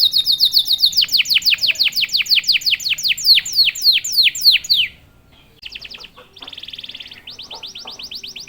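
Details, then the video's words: Strongly singing canary, used to goad other canaries into fast song; long rapid trill of descending whistles, a brief pause, then short buzzy rolls and chattering phrases. "KENARI GACOR||038|| Jagonya memancing EMOSI kenari cepat bunyi."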